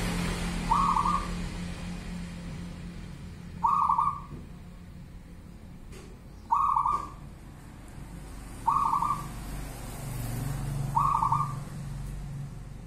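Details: A local perkutut, or zebra dove, sings bedah karang nabuh kentongan style: five short, warbling coo phrases, each about half a second, spaced roughly every two and a half seconds, with a few faint clicks and steady low background noise.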